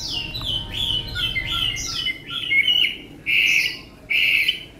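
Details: Chinese hwamei, a tame bird praised for its lovely voice, gives a string of descending slurred whistles, then loud ringing notes repeated about every second.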